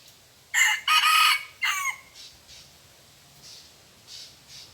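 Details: Red junglefowl crowing in a cemetery forest during decoy luring of wild birds: a loud, hoarse three-part crow with a long rasping middle, then faint distant crows from other fowl.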